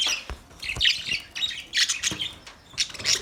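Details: Chirping from male budgerigars, a run of raspy, squawky high notes in quick uneven bursts, each lasting under half a second, separated by brief gaps.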